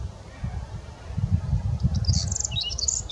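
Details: Whinchat singing, a short burst of high, scratchy warbled notes near the end, over low rumbling wind.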